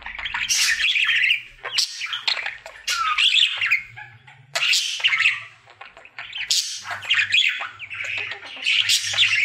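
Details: Pet male budgerigar singing his happy daily routine indoors: chattering, scratchy warbles and squeaky chirps in bursts of one to two seconds, broken by short pauses, with a faint low hum underneath.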